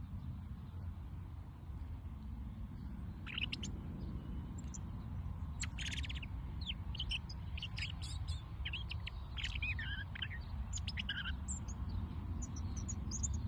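A robin sings thin, high, varied warbling phrases in short bursts over a steady low rumble of wind or distant traffic.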